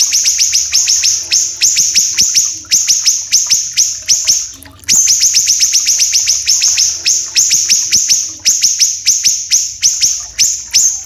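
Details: Common iora, known locally as siri-siri kecil, from Sumatra and Kalimantan, with a dense, long, rough voice. Rapid series of sharp, high, downward-sweeping notes, about three per second, briefly pausing midway, then resuming in a dense stream.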